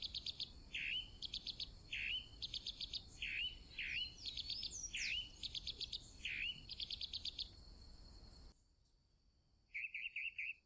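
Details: Chalk-browed mockingbird in sustained varied song, mixing rapid harsh rattles with scratchy swooping and upslurred notes, a brief pause, then a short burst of rapid chattering notes.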